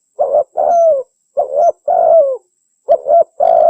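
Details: Spotted dove calling to find its mate, used as a lure. Rapid run of mellow coos: paired short notes alternating with longer coos that droop in pitch, nearly continuous over a few seconds.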